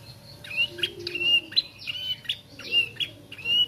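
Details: Bar-winged prinia youngster practising song, repeating short thin chirps and slurred whistles roughly every second, some with a brief buzzy edge, over faint background hum.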